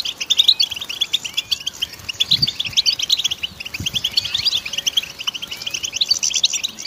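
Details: Continuous bright goldfinch twittering of rapid chirps and liquid trills, several phrases overlapping without pause, with a couple of faint low thumps in the background.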